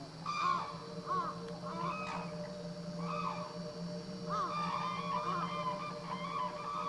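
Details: Captive black-necked crane at Akan International Crane Center, filmed January 8, 2006: a few loud, honking calls with rich overtones in short bursts separated by pauses, over a steady low mechanical hum.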